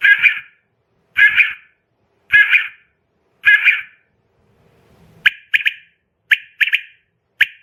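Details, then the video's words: Female quail sound for luring quail into traps: four hoarse, drawn-out single calls roughly a second apart, followed by crisp paired and tripled chirps. "Femail quail sound"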